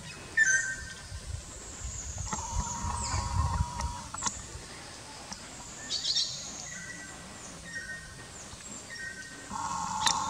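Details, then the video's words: Greater racket-tailed drongo calling at Kalatang in India's Andaman Islands. Ringing whistles, some sliding and some held flat, are mixed with sharp clicks and creaky notes, with brief low noise early on. "Greater Racket-tailed Drongo Call"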